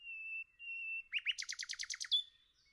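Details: Nightingale singing in a forest: two long, steady pure whistles, then a pair of rising slurred notes and a fast, rattling run of about eight repeated clicky notes, ending on a sharp high note.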